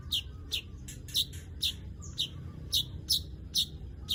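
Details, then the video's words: Weaver giving a steady run of bright, high, slightly downslurred chirps, roughly two or three per second, with a soft low background hum. "Crecet .. Cret ..!! SUARA PANGGILAN BURUNG MANYAR"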